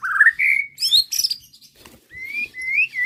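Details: White-rumped shama bait song, meant to provoke a reply: a rich rising whistle, a sliding high note, brief harsh bursts, then long clear whistles drifting slowly upward.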